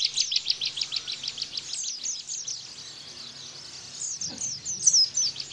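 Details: Bar-winged prinia (ciblek) shooting song meant as a master for pleci: a run of high, quick repeated notes that fades into a softer stretch before a thin whistle returns at the end.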